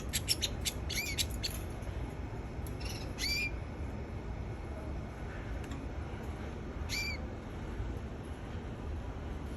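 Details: Canary giving short, sharp upslurred chirps, a quick cluster in the first two seconds, then single notes near three and seven seconds, over a steady low background hum and hiss.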